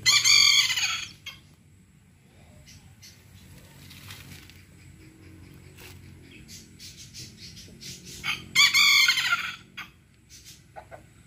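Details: Serama chicken crowing: two short, shrill, high-pitched crows about eight seconds apart, each roughly a second long, with scattered clicks and faint background noise between them.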